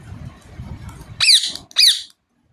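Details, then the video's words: A green rose-ringed (ringneck) parakeet gives two loud, harsh, shrill chirps about half a second apart, after a low background rumble. "Ringneck parrot chirping sound"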